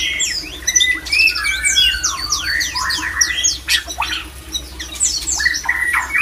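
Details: White-rumped shama male singing to spark breeding condition in other shamas; crisp repeated notes in short bursts, zigzagging slurs and sharp downstrokes, busy and energetic throughout, with a low hum underneath.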